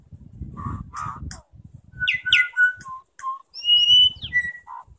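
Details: New Zealand bellbirds at Gore Bay, New Zealand, trade clear, ringing bell-like notes and quick sliding whistles in a song contest, mixed with a few harsher rasping bursts, against low wind rumble.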